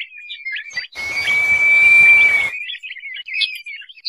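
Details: Calling crested partridge gives one sustained, smooth whistle of about one and a half seconds, even and slightly arched, over a breathy hiss, while scattered high chirps and twitters sound around it.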